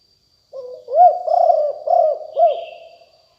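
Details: Decoy spotted dove of a fierce lineage, lium tan style song, 2021: one phrase of a short soft lead-in and four husky, bowed coo notes in quick succession, then silence.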